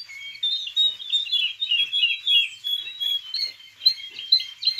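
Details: Young male canary, 6.5 months old, tutored by recording and a live tutor, warming up with a fast, continuous stream of high twittering notes and short trills, about three phrases a second; wild woodlark and yellow-breasted bunting reportedly singing in background.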